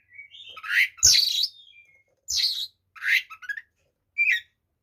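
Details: White-rumped shama song played to provoke other shamas: harsh, scratchy squawking phrases and rough chatters in separate bursts, with a couple of sharp knocks.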